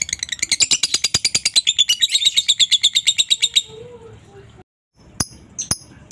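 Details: Lovebird tutor song, masteran for lovebirds: an accelerating run of sharp, high chattering pulses lasting over three seconds, then a pause and a few isolated clicks and chirps.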